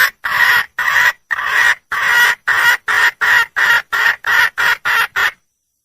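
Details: A wild red junglefowl hen calls for a mate with a loud run of roughly eleven rasping, evenly spaced cackles, each short and harsh, filling nearly six seconds.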